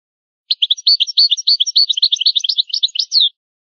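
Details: European goldfinch singing an old-style song, called the original goldfinch language, from a rare tape: one fast, tinkling twitter of high chirps and short trills lasting about three seconds, ending on a slurred note. No other sounds.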